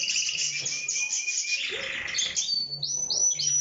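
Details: Canary singing: rapid high-pitched trills and buzzy rolled phrases that shift in pitch, then a run of quick, sharply rising whistled notes repeated about every quarter second toward the end.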